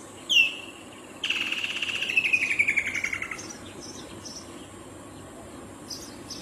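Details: Woodland kingfisher calling: one sharp high note, then after a pause a long, loud trill of rapid pulsed notes that slides steadily downward in pitch and fades over about two seconds, with faint insect ticking behind.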